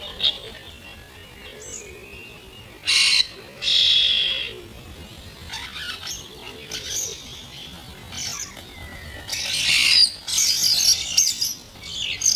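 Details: First-generation young starlings squabbling over food, played at half speed; scattered harsh, rasping bursts with long quieter lulls, then a cluster of loud screechy calls near the end.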